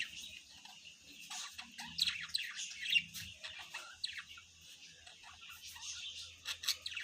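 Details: Parent budgerigars feeding their chicks chatter in a busy stream of high, sharp chirps and warbling squeaks.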